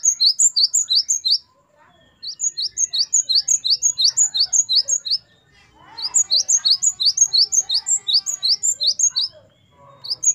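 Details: Great tit, known locally as gelatik batu, singing in the lively wucit variasi style, used as a tutor recording for captive songbirds: high, sharp two-note phrases repeated rapidly in three bursts separated by short pauses, with faint chatter underneath.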